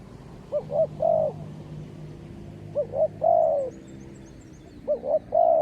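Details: Decoy spotted dove calling back to wild birds, giving soft cooing phrases of two quick notes followed by a long falling coo, spaced roughly two seconds apart, over a low steady hum.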